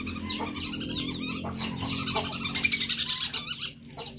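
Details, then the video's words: A male whistling duck gives rapid, high, clear whistled notes, many overlapping in a busy, chattering stream that peaks midway, over a low steady hum. "pikat belibis jantan"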